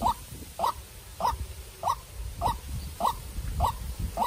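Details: Farm-raised young decoy white-breasted waterhen fighting a wild bird: short, clipped, slightly upslurred notes repeated at an even pace of nearly two per second, over low rustling noise.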